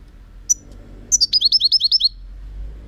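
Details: European goldfinch singing, recorded in 2018: a single high note, then a quick run of about eight bright, repeated, downslurred chirps, high-pitched and evenly spaced, over a quiet background.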